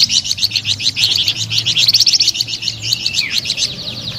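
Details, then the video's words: Flamboyan bird singing melodiously and prolifically: a fast, continuous stream of high, bright chirping notes, about four per second, with slight squeaky variation throughout and a low hum underneath. "SUARA MERDU DAN GACOR BURUNG FLAMBOYAN"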